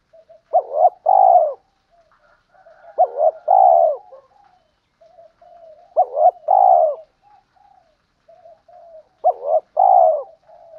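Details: Spotted doves, male and female, cooing as a training lure: a three-part phrase of short coo then two rolling purrs, repeated about every three seconds, soft murmurs between.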